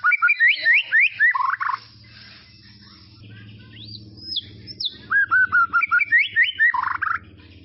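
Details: White-rumped shama song from tropical forest, used to train young birds: quick bursts of rising whistled notes separated by a quiet stretch with distant high whistles and low background hum.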